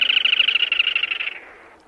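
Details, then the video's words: Short rapid rattling trill of a black-tailed crake, fast pulsed buzzy notes that soften and trail away within about a second and a half. "เสียงนกอัญชันหางดำ Black-Tailed Crake Sound"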